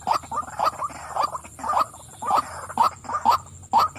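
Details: A female white-breasted waterhen calls in irregular bursts of harsh croaking notes, clustered pairs and triplets separated by brief pauses, over four seconds.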